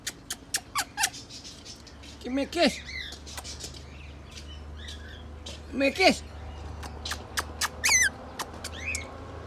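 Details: A pet rainbow lorikeet gives quick shrill chirps, clicks and twittering notes in uneven bursts, with two louder harmonic voice-like calls, while a person nearby coaxes it with "give me a kiss" and "say hello".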